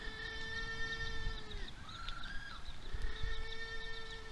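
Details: Little blue penguin at Oamaru, New Zealand, on 27 October 2023 during feeding, voicing a sustained harmonic tone that drops away, a brief higher rising note between, then the long tone resuming, with soft background noise.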